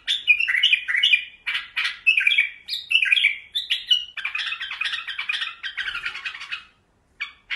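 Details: Bulbuls from Iraq singing indoors: bright, chattering phrases of warbled and squeaky notes, dense and overlapping for about six seconds, then a brief pause and a final short burst.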